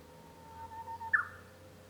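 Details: Japanese bush warbler heard from a room at home on 5 May 2013, song fainter here: a long steady whistled note rising slightly at its end, then a short emphatic flourish of notes, with a steady low hum behind.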